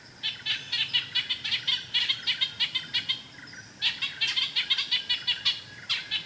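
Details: Ochraceous Bulbul in Thailand giving bursts of scratchy, chattering notes at a quick, uneven pace. A short pause near the middle separates two bursts.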